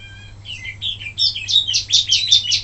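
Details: Wambi song used to train other birds: a brief pure whistle, then warbled slurs building into loud, rapidly repeated high chirping notes, over a faint low hum.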